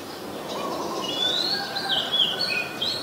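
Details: Oriental magpie-robin singing in Ubon Ratchathani, Thailand, 14 October 2021, recorded with a Nikon P1000. A lively string of short, high, wavering whistles, with a low hum and faint chirps behind.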